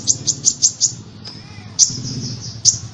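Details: Sunbird song of thin, piercing high notes. A fast run of five chips is followed by a pause, then a few scattered single notes over a low background hum.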